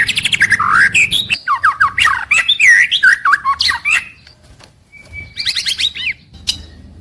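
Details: White-rumped shama in a cage, daily song from morning to evening: dense chattering of slurred whistles and harsh squawky notes tumbling quickly, then a brief pause and a fast rising trill.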